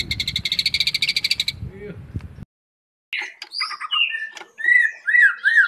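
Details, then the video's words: Fighting-style singing of a white-rumped shama: a rapid buzzy rattle breaks off into a short silence, then varied whistled phrases of slurred, rising and falling notes follow. "Gaya tarung MURAI BATU SUPER"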